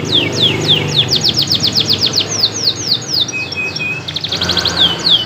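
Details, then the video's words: A local canary in top singing form sings very loudly: a fast run of high, downward-swept whistles, about four a second, then a sustained note and a quick rattling trill over a low background hum. "Kenari Lokal Gacor || volume bikin pekak telingan"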